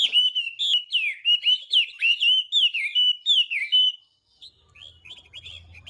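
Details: Chinese hwamei singing its morning training song: a run of loud downslurred whistles roughly every half second for four seconds, then silence and a few faint distant notes over a low hum.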